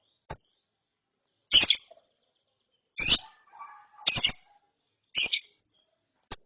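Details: Lovebird chick after therapy: scratchy, double-pulsed high chirps spaced a second or more apart, with faint lower warbling notes between them.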